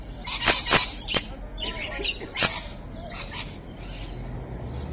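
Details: Rainbow lorikeets, Evans Head, 26 May 2012: a burst of piercing, raspy screeches, four sharp ones in the first two and a half seconds, then softer chattering notes fading out.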